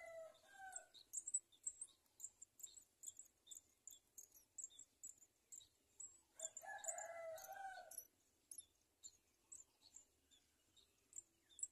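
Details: Two house sparrow (Passer domesticus) chicks begging for food as their parents feed them, giving rapid, very high, thin cheeps about two a second; a rooster crows loudly in the background midway through.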